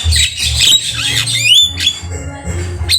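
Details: Javan myna (jalak kebo) in vigorous tutor song: dense grating squawks merging into a sharply rising whistled slide, then more rasping notes, over a constant low hum.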